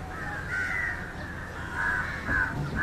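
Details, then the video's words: Indian jungle crow (Corvus culminatus) calling while feeding on fish: two harsh, drawn-out caws, the second stretched into a broken series near the end, over a steady low rumble of background noise. "Indian Jungle crow (Corvus culminatus) Call and behavior feeding on Fish"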